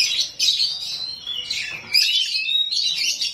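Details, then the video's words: Rawit-type oriental magpie-robin delivering rough 'isian kasar' fill-in phrases to provoke replies from other magpie-robins; high, scratchy, fast-chattering bursts with piercing whistled notes, broken by one short pause midway. "KACER RAWIT BONGKAR ISIAN KASAR, BIKIN KACER LAIN PASTI NYAUT"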